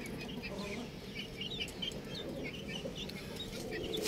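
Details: A group of baby chickens cheeping nonstop, with short, bright, falling peeps tumbling over one another at a rapid, irregular pace over a soft, steady background noise.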